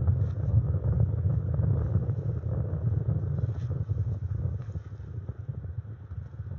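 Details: Low buffeting wind rumble on the microphone, with no animal calls.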